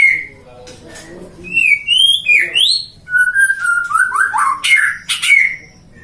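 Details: White-rumped shama raised by a breeder in Depok, Indonesia, a bird kept for singing contests: clear whistled notes, rising upslurs, steady level whistles, then sharp bright bursts and a descending trill, after a quiet start.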